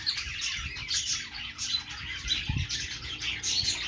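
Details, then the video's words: Happy budgies chattering continuously: overlapping high, scratchy chirps and warbles forming a steady busy wash, with soft low knocks and thumps underneath, one louder thud near the middle. "parakeet chirping sounds |Australian parrot singing | budgie sounds"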